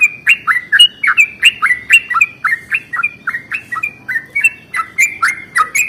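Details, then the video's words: Yellow-vented bulbul in a long rolling morning song used to provoke other bulbuls: a continuous chain of liquid, gurgling notes that rise and fall, brisk and evenly spaced. "SUARA trucukan ROPEL PANJANG pagi hari | Rajanya bikin trucukan lain gacor"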